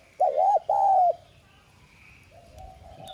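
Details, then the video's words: A decoy spotted dove with the 'Son' voice, meant to lure and stimulate other doves to coo, delivers one phrase: a rippling double note and a long level coo. A softer, distant coo follows over quiet background. "Tiếng cu đất gáy kích bổi nhanh gáy"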